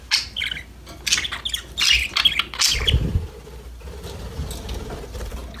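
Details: Budgies chirping and playing give a run of rapid, scratchy chirps and squawks for about three seconds, then fall quiet under a low rumbling background noise.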